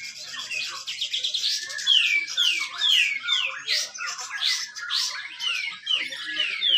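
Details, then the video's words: Grey-cheeked bulbul competition song from Malinau, North Kalimantan, Indonesia, used as a lure for birds reluctant to sing. A steady sequence of loud, sharply falling whistled slurs repeats about twice a second within a dense, ringing warble. "cucak jenggot besetan rapet"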